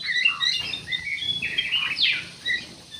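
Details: Ruby-throated bulbul song used as a lure for other birds: a dense, slightly smeared run of whistled and chirping notes with a sharp downslurred note near the middle.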